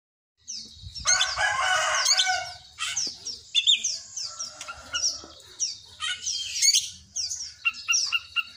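An Oriental magpie-robin opens with a loud, harsh, grating burst, then gives rapid high chirps and sharp whistled notes copied from a cinereous tit.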